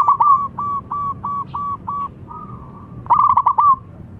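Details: Local Indonesian perkutut (zebra dove) with a big voice used as a lure bird: a string of short, evenly spaced coo notes at steady pitch, then a louder rolling trilled burst near the end.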